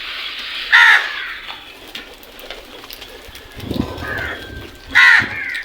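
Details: Crow calling in the morning among other birds: two loud harsh caws about four seconds apart, with softer bird calls and chirps between them.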